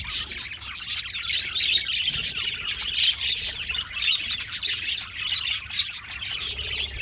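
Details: Continuous budgerigar chatter: many overlapping thin chirps, twitters and occasional squawks, high-pitched and scratchy, forming a lively unbroken flock chorus.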